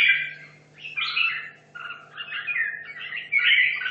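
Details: Hanoi red-whiskered bulbul, 2.5 years in a cage, training for a song contest, delivers short loud warbling phrases of looping whistles, each about half a second, separated by brief gaps, with a steady background hum.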